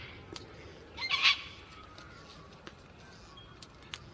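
A gang-gang cockatoo gives a single harsh, creaky screech, like a rusty hinge, lasting about half a second. A few faint clicks and quiet background hiss follow.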